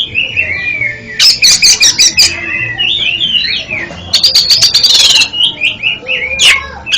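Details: Song of the oriental magpie-robin, or kacer, used to help a bird that stutters when singing: warbling whistled phrases interrupted by two rapid rattling series of harsh repeated notes and a sharp final squeak.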